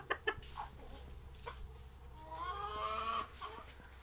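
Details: Young Brahma cockerel from Istanbul, 2020: short clicks and clucks, then a roughly one-second hoarse, harmonic crow that holds steady before breaking off, with a low hum and scattered knocks behind.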